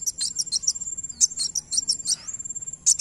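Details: Van Hasselt's sunbird singing, played to provoke an answering bird: fast series of sharp, very high chirps and tinkling notes, a short gap, then another quick burst, with a constant thin high-pitched whine throughout.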